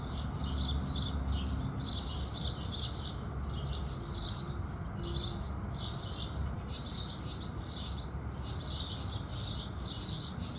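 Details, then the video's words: Continuous chattering chirps from house sparrows at sunrise, dense and overlapping, growing sharper and more evenly spaced in the second half, over a low rumbling background. "Sparrows Sound Effect | Sparrow Sounds | Beautiful Birds Singing | Sparrow Calls"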